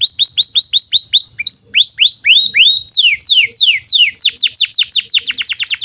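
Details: Canary song used as tutor song for young canaries and canaries that stopped singing: rapid series of downward-sweeping whistled notes, shifting to slower rising slurred phrases, then a fast buzzy trill of descending notes, about three per second.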